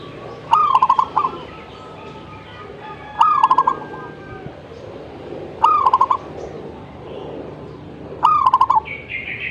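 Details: Zebra dove singing steadily: four cooing phrases about every two and a half seconds, each starting with a rising note and running into fast, rhythmic, bead-like coos.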